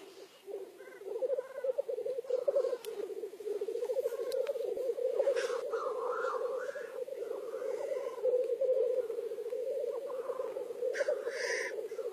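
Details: Black grouse at the lek: a continuous low bubbling, cooing rookoo runs without a break, with occasional harsher hissing sneezes and a few faint higher calls above it.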